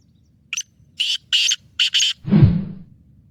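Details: Sindhi black francolin of the Pure Lakka Nasal strain, a speedy caller giving 12 calls a minute: four rasping, scratchy notes in quick sequence, the middle ones longest, then a low rumbling thud.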